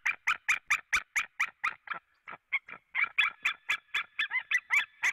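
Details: White-tailed eagles at a nest in Latvia, 4 March 2017 at 16:30, both birds having arrived and calling: a fast run of about twenty loud, harsh yelping notes, roughly four per second, with a short break near the middle.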